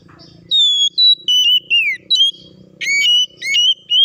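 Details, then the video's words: Oriental magpie-robin song for provoking other birds into singing and fighting: clear sustained whistles, a falling glide, then harsher rising notes and steady whistled tones, faint hum underneath. "PANCINGAN KACER AGAR CEPAT BUNYI DAN BUKA MATERI!"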